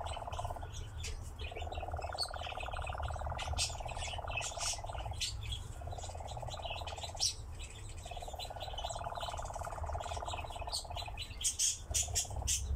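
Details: A nightjar at a ravine gives a long, dry mechanical churr in unbroken stretches of several seconds, shifting slightly in pitch, with brief pauses. High chirps from other birds and a low wind rumble sit behind it.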